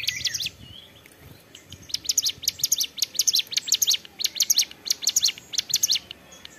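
A prinia sings a rapid run of sharp, high chirps and clicking notes in quick bursts, steady and insistent, with faint background hiss.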